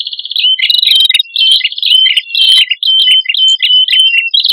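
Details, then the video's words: Male and female red-headed prinias sounding a lure song of high, rapid chirps and short downward-stepping notes, delivered in an almost continuous, slightly uneven stream. "Suara Prenjak Kepala Merah Jantan Dan Prenjak Kepala Merah Betina"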